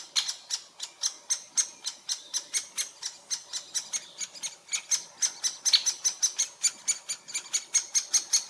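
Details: At a great spotted woodpecker nest in Furuberget, Hamar, Norway, in summer 2017, sharp squeaky calls are repeated about three times a second in an even series; handheld Panasonic Lumix FZ2000 recording.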